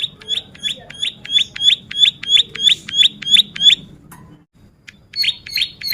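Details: Ciblek sawah, the Bar-winged prinia, singing energetically for tutoring and lure use: about twelve clear high down-slurred notes in steady rhythm, a pause of over a second, then the series starts again.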